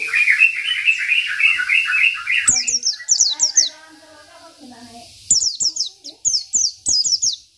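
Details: Lively 'isian' song of a local Oriental white-eye, said to provoke rivals. It opens with dense high chirping, then softer lower warbled phrases, then bursts of sharp falling high notes in rapid runs.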